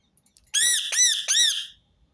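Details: Rose-ringed parakeet giving three loud, harsh, rasping screeches in quick succession, each note slightly arched and ringing, in an otherwise quiet setting.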